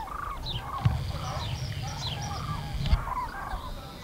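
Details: Common cranes over the Eifel, Germany, on 6 March 2018 give overlapping rolling, trumpeting calls, with two sharp knocks and a low rumbling noise beneath.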